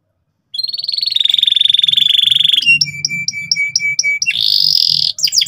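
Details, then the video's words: Domestic canary singing loudly and persistently, ngeriwik style, to teach beginner canaries. After a short silence, a long pulsing whistle leads to a row of evenly spaced short notes over a low tone, then a buzzy rattle. "suara kenari gacor ngotot keras biar kenari paud cepat belajar bunyi ngeriwik"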